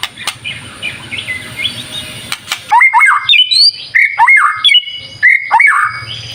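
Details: White-rumped shama in steady song offered as a lure to prompt other birds to sing: faint warbling for two seconds, then loud, sharp, rising whistled notes in quick bursts, with a constant high thin tone behind.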